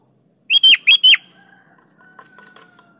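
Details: Sooty-headed bulbul (kutilang) singing vigorously as a lure for other bulbuls: one loud burst of four quick, rich whistled notes, then faint thin whistles and soft ticks trailing off.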